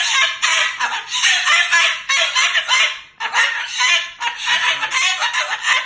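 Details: Indoor pet Moluccan cockatoo angrily talking and cursing, loud raspy phrases in four clustered bursts separated by very short breaks, voice harsh and pulsing.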